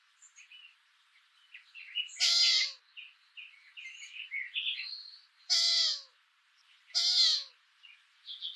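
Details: At dusk in late May at a nest with three week-old chicks, a hungry female long-eared owl (Asio otus), having waited all day, begs her tardy mate for food: three harsh, wheezy, slightly falling calls, small birds chirping.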